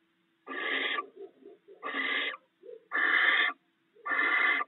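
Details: Barn owl pair at the nest sharing rats the male delivered during the night: four evenly spaced harsh hisses, each about half a second, with soft short grunting sounds in the gaps.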